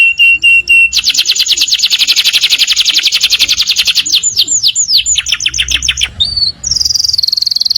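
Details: Canary song in the morning: a short whistle, then a long fast rattling trill of rapid repeated notes, slurred sweeps, and a high sustained buzzy note at the end.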